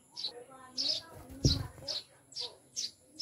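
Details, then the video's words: Several caged pet maya, or Eurasian tree sparrows, newly kept and called birds of the mountain, give seven sharp high chirps in quick succession, with a dull thump midway and faint talking underneath. "Mga ibong Maya Bago naming Alaga / Ibon sa bundok"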